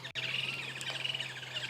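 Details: Woodland kingfishers chatter together at sunrise on 7 February 2022 on safari, a dense, high, pulsing chorus with a steady low engine hum underneath.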